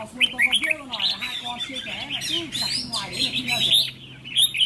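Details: Young trainee decoy red-whiskered bulbul in a cage, marked with two 'fire eyelids', tested for its attitude: lively whistled and warbled phrases in rapid succession over men talking close by.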